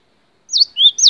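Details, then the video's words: Cinereous tit (gelatik batu) singing in a recording made for training songbirds: three clear whistled notes, a high falling-rising note, a lower upslurred note, then another high one, in a brief burst with no other sounds. "MASTERAN GELATIK BATU DURASI PANJANG"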